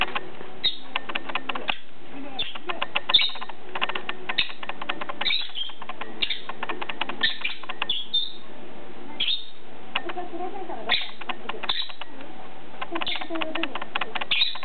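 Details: Two PBFD-positive pet lovebirds playing indoors. They give a busy stream of harsh chirps and squeaks, with short bursts and pauses between clusters.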